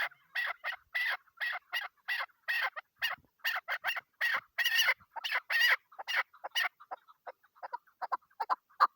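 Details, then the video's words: Female chukar partridge kept for hunting, calling on the first day of the hunt: loud, raspy, higher-pitched repeated notes in quick bursts, fading into softer, scattered clucks toward the end. "shikari chakor ki video kekik sesi"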